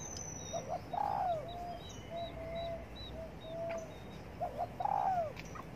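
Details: Morning coos of a spotted dove sunbathing: soft, low, slightly falling coo phrases with short gaps, against constant background hiss and faint distant chirps.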